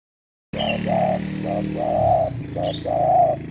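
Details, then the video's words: Spotted dove short call, played to get lazy doves to call: a few hollow, hoarse cooing notes in a short-short-long rhythm, repeated twice, over a faint low hum. "Panggilan Singkat Burung Derkuku/Terkukur untuk Terkukur yang malas BUNYI"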